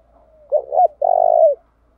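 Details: Spotted dove kept as a decoy, changing coo patterns repeatedly to excite wild birds; one soft lead-in note, a pair of short coos, then a long tremulous coo falling at its close.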